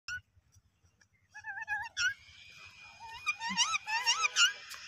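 A ringneck parakeet gives wavering, warbled whistles in short bursts, rising and falling in pitch, over a thin steady tone and a faint low indoor hum.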